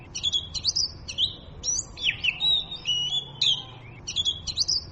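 An Oriental magpie-robin sings a varied run of sweet whistles, slurred notes and scratchy chatter, high and rapid with brief pauses between phrases.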